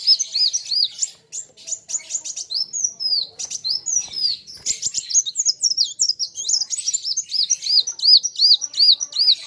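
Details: Kolibri wulung sunbird in a lively song duel with a rival; high arched notes repeated about two or three per second, with dense clicking chatter between the phrases.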